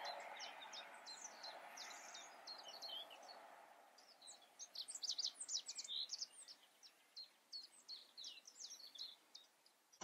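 Rock bunting giving high, thin, sharp 'zip' notes in quick irregular bursts, with a steady wash of background noise.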